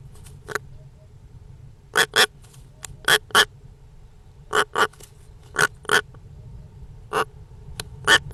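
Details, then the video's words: European rollers giving harsh, broadband rasping calls, often in quick pairs of short bursts and repeated irregularly, about one every second or two, over a low steady background hum. "European Rollers - The weird sound of this beautiful birds"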